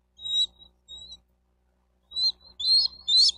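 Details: At a Florida nest in Miami-Dade County, a bald eagle gives high squeaky notes, recorded 4 June 2023 near midday. Two short piping chirps are followed by a pause, then a rapid, shrill, rising twitter of several notes.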